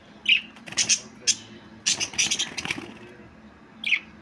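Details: Budgerigar giving two short, sharp chirps near the start and end, separated by a run of broadband clicking and rustling bursts, over a low steady background hum.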